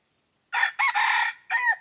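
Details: Decoy red junglefowl crowing to draw in wild junglefowl: one loud, hoarse, broken crow in several segments, with a rough, richly harmonic tone and a downward-curving final note. Nothing else is heard in the background.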